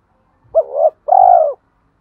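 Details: Spotted dove used as a decoy to set off wild doves' cooing, in 'thổ' voice: a soft coo with an upturned finish, then a sustained burry coo lasting about half a second.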